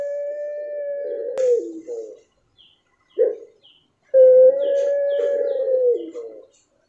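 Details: Puter pelung dove giving a long level coo that drops at its end, a brief rough note, silence, then another long sustained hoot ending in a downward slur; clean quiet background.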